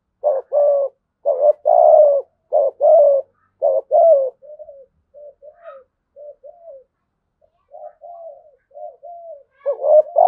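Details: Spotted dove noted for a deep, thunder-like voice and a well-formed song; a rapid series of loud coos in short-long pairs, then a run of softer, lower repeated notes, before the loud phrase starts again.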